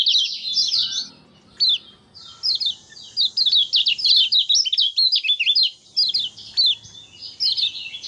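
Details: Kecial kuning in energetic 'gacor' ngejos song, dated 6 December 2024. Shrill, rapid chirping phrases of zigzag notes, a brief lull near two seconds, then steady twittering streams to the end.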